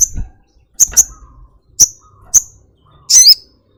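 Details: Sogok ontong, or Brown-throated sunbird, giving piercing high chips, singly and doubled, ending in a longer, buzzy, warbled note, with light low rustling.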